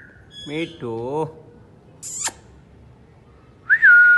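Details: Pet rose-ringed parakeet talking: two short voice-like syllables with wavering tone, then a sharp high squeak, and after a pause a clear whistled note that rises then holds steady.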